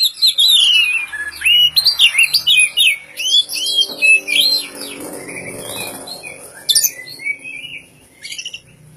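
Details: Oriental magpie-robin, the Poci/Kacer form, in contest-ready condition and singing ngobra-style with rich imitated material. A loud, fast stream of rising and falling whistled notes and chattering trills fades into softer, scattered chirps.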